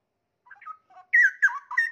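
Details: Caged straw-headed bulbul in full singing form, plumage still patchy and new tail feathers just growing, delivering a short run of soft notes then loud, rich, gurgling whistled phrases sliding up and down.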